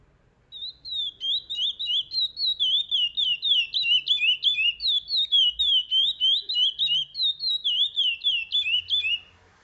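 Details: Chestnut-bellied seed finch, known as curió, singing a long, clear run of whistled notes, each sliding down then up, repeated rapidly and evenly for about eight seconds in a quiet setting.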